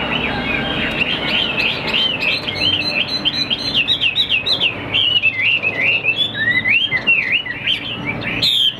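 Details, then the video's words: Caged Chinese hwamei with a big build, a good singer that fans out when fighting, delivers a rich, continuous run of loud whistled phrases, rapid slurred up-and-down notes tumbling without pause, over a low background hum. "HM 1898 - BỘ TO DÁNG NGŨ TRƯỜNG - ĐẤU XÒE - HÓT TỐT"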